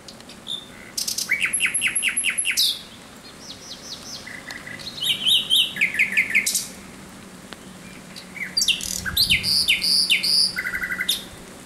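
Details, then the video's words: Nocturnal thrush nightingale song, 17 May 2023, in three bursts: a long series of rapid repeated chopping notes, a shorter mixed phrase of clicks and whistles, then a final run of sharp repeated high notes, with quiet gaps between. "Śpiew słowika rdzawego nocą."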